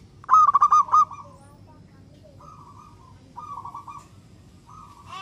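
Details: {'caption': 'Energetic local zebra dove song used to get other doves singing: one loud burst of quick, pulsed cooing beats, then softer drawn-out rolling coos from more distant doves.'}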